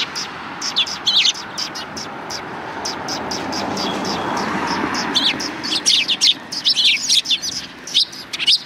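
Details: Sparrows in a flock by the road before a Tenmangu shrine on 13 December 2019: scattered high chirps, a quieter stretch midway with a low hum and muffled voices, then a dense run of overlapping tweets.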